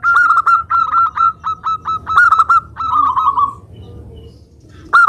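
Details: ['Local zebra dove singing persistently, used as a lure to provoke other doves into singing: bursts of short staccato coos on one steady pitch, then a longer gurgling roll that fades, with a fresh burst at the end.']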